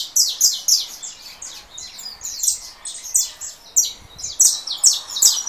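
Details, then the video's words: Russo saffron finch, just past molt, singing against a canary recording played from another phone: loud, crowded sequences of shrill downslurred chirps in quick bursts, separated by brief lulls. "Canário da terra russo."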